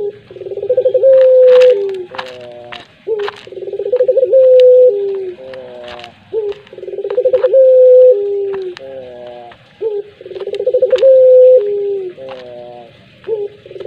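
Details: Collared dove singing pelung-style coos four times in succession, each a rolling trill into a long steady hoot with a nasal harmonic tail. Scattered sharp clicks and knocks sound in the background.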